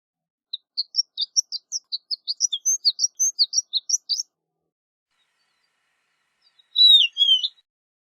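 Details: Horned lark, also called shore lark, singing: a rapid series of short high tinkling chirps, about a dozen per second-and-a-half, running for four seconds, then a pause and two louder slurred high notes.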